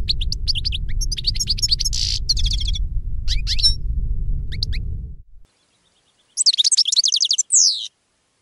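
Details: European goldfinch song: busy twittering phrases and a buzzy note over low rumble, then after a brief silence a clean trill of rapid chips and a falling slurred whistle.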